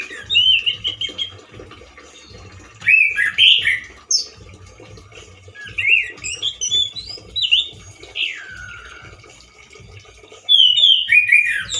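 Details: Loud, harsh song of a male orange-headed thrush, limited in variety and said to sound like a wild bird. Short bursts of slurred, squeaky whistles come between pauses, over a steady low rhythmic hum.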